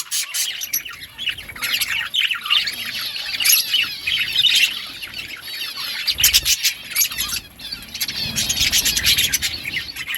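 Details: Budgies at green food warble continuously, high wavering twitters rising and falling, broken by sharper chirps and occasional squawky notes from several birds at once.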